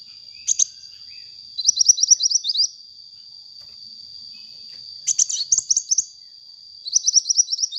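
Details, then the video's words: Sunbird in full song, used as a lure for training birds: a lone high chirp, then quick rattling runs of thin, high notes in four groups with silent spells between, and a steady high-pitched tone behind. "suara burung kolibri gacor untuk pancingan bunyi kolibri bahan"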